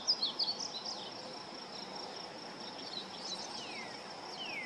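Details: Juvenile painted bunting singing at a local park: a quick burst of high, sweet warbled notes, then softer scattered slurs, over a steady high insect drone.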